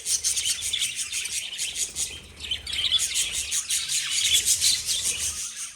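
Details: Several pet lovebirds chatter nonstop in shrill, high-pitched tweets that overlap into a bright, busy twittering, briefly easing near the middle, over a soft low hum.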